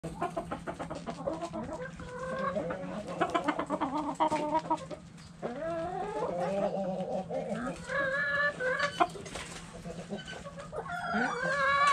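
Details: Backyard chickens, hens and roosters, in a chicken coop: dense overlapping clucks and rising squawky calls from many birds throughout, with a longer drawn-out call near the end.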